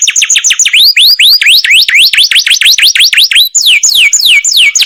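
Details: Masteran canary, song called a long roll: a steady stream of rising and falling whistled sweeps, repeated several times per second, ending with slower descending slurs.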